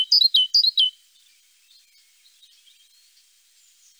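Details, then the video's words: Great tit (Parus major) giving a short run of high two-part notes that drop in pitch, repeated about four times within one second. Faint quiet background follows. "Great tit (Parus major). Singing birds"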